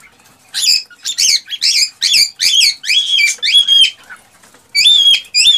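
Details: Excited male cockatiel song meant to encourage a female to mate and breed, with bursts of bright, warbling whistles, some sliding upward into clear pure tones, repeated in short phrases separated by pauses.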